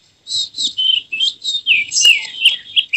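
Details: Oriental magpie-robin singing in an excited, emotional style with its tail opened, showing off a full repertoire: bright whistled phrases and quick rising and falling notes in short bursts with brief pauses, nothing else heard.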